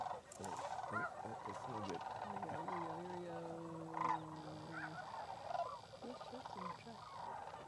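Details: A very large flock of sandhill cranes passing through on their yearly late-January migration gives many overlapping rolling, rattling bugles, with a steady low hum through the middle and people talking nearby.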